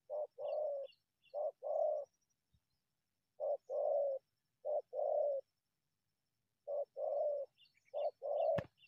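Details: Wild spotted dove emerging from bushes to attack a decoy bird, giving deep, hoarse two-part coos, a short note then a longer rolling one, phrases repeated roughly every three seconds with quiet gaps between.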